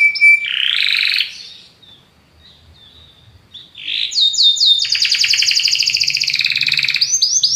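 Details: Belgian canary in powerful song: a bright whistled note and short rolled phrase, a near-silent pause, a brief burble, then fast repeated upswept notes running into a sustained rattling trill of rapid pulses.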